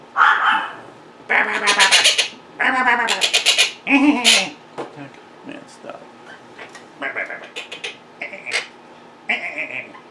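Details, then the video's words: Pet Quaker parrots indoors, vocal while their owner works at a computer, mimicking: speech-like harmonic phrases in bursts of about one second, broken by short pauses, with a few brighter whistled notes. "Quaker Parrots Being Very Vocal and Mimicking"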